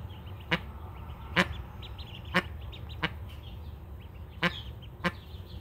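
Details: Domestic-kept mallard hen protecting twelve freshly hatched ducklings: sharp, clipped bursts repeated roughly once a second, each brief and harsh, over faint high-pitched duckling peeping.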